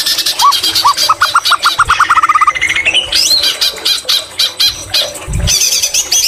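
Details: Song of a white-rumped shama filled with greater green leafbird imitations, opening with a steady series of about a dozen rapid repeated notes, then ringing whistles and sweeping slurred phrases, with a brief low thump near the end.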